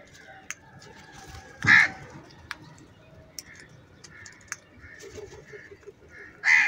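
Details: Crows fighting for food give two loud, raspy, hoarse caws, one early and one at the end. Soft clicks, chirps and ticking fill the gap over a quiet background.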